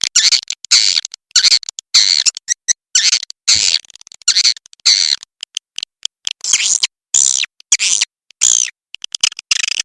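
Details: High, buzzy swiftlet chirps of the walet macan merah kind, delivered in irregular bursts roughly every second, some notes rising sharply, with clean silences between groups.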